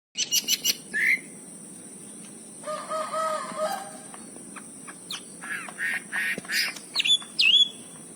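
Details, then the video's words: Wambi bird from Cililin singing: a sparse series of short, sharp chirps and clipped whistled notes, some in quick clusters, with a brief harmonic warbling passage midway and a steady high hiss throughout. "kicau burung wambi cililin lakbet"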